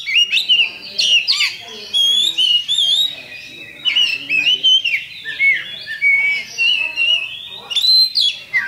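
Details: Kacer, the Oriental magpie-robin, in champion-style song meant to spur another bird: bursts of loud whistled and rasping phrases with quick trills, broken by brief pauses roughly every second, plus faint lower sounds in the background.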